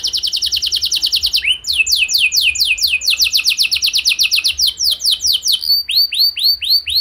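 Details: Canary song used as a lure to get other canaries singing: long fast trill, then a series of quick descending slurs, ending with slower arched whistled notes.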